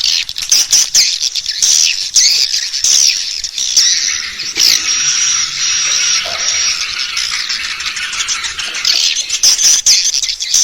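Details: Call used to attract swiftlets into a bird house for roosting: continuous high-pitched twittering with sharp chirps and a thin, sustained whistle-like tone near the middle.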